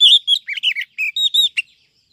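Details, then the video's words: Female Oriental magpie-robin calling to excite males and lure wild birds, used as a trapping lure: a quick run of about ten sweet whistled and chattering notes, bright and varied, packed into under two seconds before falling quiet. "Chòe than mái mới nhất 2023 kích trống dụ bổi nhanh ra giọng, file bẫy bánh tẻ"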